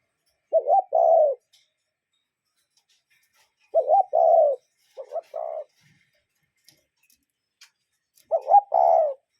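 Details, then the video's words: Cuckoo calling in nature: a two-part hooting phrase, a short note followed by a longer steady one, given three times a few seconds apart against an otherwise quiet background. "Relaxing Cuckoo Bird Sound in Nature"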